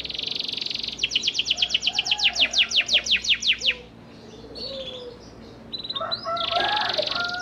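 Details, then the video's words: Panda canary song used as a lure for canaries that have stopped singing: a buzzy high trill, then a fast, even string of crisp descending notes, a quiet gap with faint lower warbles, and a renewed buzzy trill. "PANCINGAN KENARI PANDA GACOR AMPUH UNTUK MEMANCING KENARI MACET BUNYIPUN BISA LANGSUNG RESPON NYAUT"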